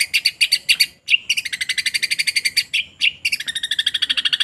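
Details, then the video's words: Long-tailed shrike song with sparrow material: a few separate sharp chirps, then long, fast, scratchy chattering runs split by short silences. The song stays high and bright throughout. "cendet pastol mewah materi Greja kereta"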